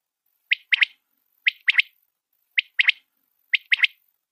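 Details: Clear three-note call of a white quail (batair), a rare pale variety, given four times at roughly one-second intervals: a short first note and a quick double note, with no other sounds.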